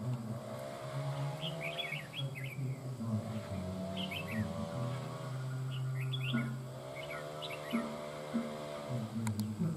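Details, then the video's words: Má trắng songbird, freshly wild-caught, overpowering a decoy bird with a mature voice; clusters of rapid twittering chirps recur every few seconds above a loud continuous low hum. "Má trắng VIP CHÉ ĐÈ MỒI GIỌNG NHƯ CHIM GIÀ NẾT CẦU CÁNH MỎ CỰC HAY"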